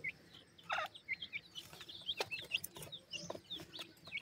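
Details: Hungry young grey francolin chicks, called Sindhi teetar babies, in Pakistan: a busy scatter of thin, high peeping notes, many short upslurred cheeps overlapping, with sharp tapping clicks and light handling noise between them.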